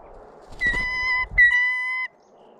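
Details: Blue jay (Cyanocitta cristata), a male perched on a person's hand, gives two steady, ringing squeaky-gate notes about half a second each with a short break, over a faint background hum.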